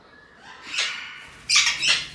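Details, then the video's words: Short-tailed parrot calling: two harsh, broad squawks, the first near 0.8 seconds and a louder rasping pair around 1.5 to 1.9 seconds, over a quiet background. "Short-Tail Parrot"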